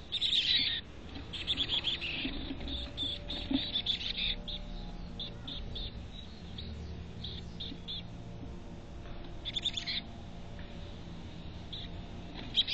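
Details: Chickadees at a North Vancouver nest box start with a loud run of high twitters, then give scattered thin chirps and short bursts, with quiet stretches between.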